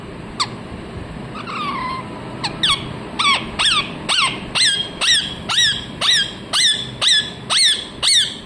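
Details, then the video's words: Harsh, rasping parrot squawks. A few scattered calls open, then a steady train of about ten loud screeches follows, each a quick rising-falling shriek, repeated around twice per second. "मिट्ठू मिट्ठू बोलने वाला तोता | the parrot that says mithu mithu"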